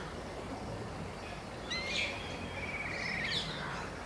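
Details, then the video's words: A trio of wire-tailed swallows (Hirundo smithii) on a barren tree call to each other with brief, high, twittering chirps in two short bursts. A Black Kite or Pariah Kite also calls, over steady outdoor hiss. "Wire-tailed Swallow and Black Kite or Pariah Kite calls"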